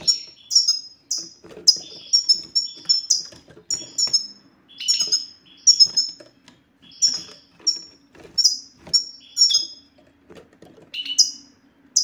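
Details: 'Satsata' song of the European goldfinch, aimed at silent male goldfinches to make them sing: steady, sparkling series of high, bell-like, down-slurred notes in quick groups, with occasional lower buzzy notes.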